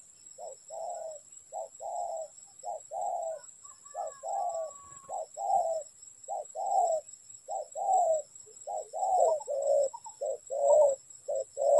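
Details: Spotted dove at a trap, a long run of soft cooing pairs, short note then longer croon, repeated about once a second, gradually growing louder, with a faint high whine throughout.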